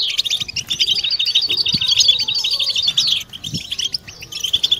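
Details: European goldfinches singing together, a group twittering meant to stimulate birds into mating song: rapid liquid chirps and short trills run densely for about three seconds, dip briefly, then resume.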